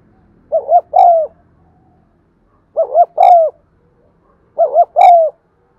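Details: Repeated coo of a spotted dove, used to get silent birds cooing: three phrases about two seconds apart, a quick rolling double note then a longer gently falling coo, faint low rumble at first.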